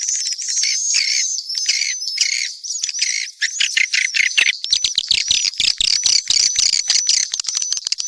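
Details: Shrill, slurred whistles from mixed swiftlets run over a constant crackle of rapid clicks. The clicking becomes denser and louder in the second half.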